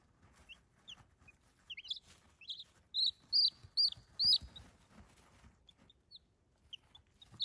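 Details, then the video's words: Cute baby chicks giving clear, loud high peeps, several sharp downslurred notes in a quick run near the middle, with fainter scattered peeps before and after in an otherwise quiet setting. "Cute Baby Chicks ASMR"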